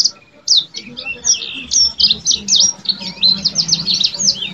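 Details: Yellow-fronted canary in full song: a fast, tumbling stream of high, sweet twitters and whistled slurs that runs without a break. Faint low murmuring sounds behind it.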